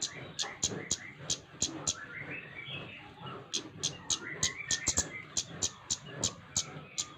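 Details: Flowerpecker in full song, used to stimulate other birds to sing: sharp, very high ticking notes repeated about three times a second, over softer rising chirps and twittering.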